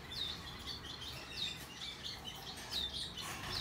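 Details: A hand-tame rosy-faced lovebird chick, white-face Australian cinnamon, recorded April 3, 2022, gives short, high, descending chirps about once a second over a busy hiss of other high chattering.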